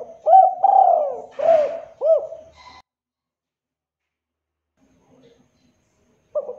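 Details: Local spotted dove phrase used to coax doves into calling: looping coo, long falling coo, brief noisy burst, two short coos, a long pause, then the next phrase starting.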